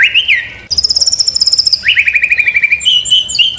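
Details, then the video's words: White-rumped shama tutor and lure song: a short slurred whistle, then a long high rapid trill, followed by a fast series of repeated upslurred notes and closing thin whistled phrases. "MURAI BATU 100% MASTERAN DAN PANCINGAN"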